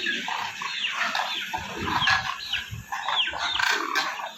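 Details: Demoiselle crane, locally called koonj: a jumble of overlapping calls from several birds, short rough notes and rising and falling trumpeting sweeps, repeated irregularly, with low thumps and background noise underneath.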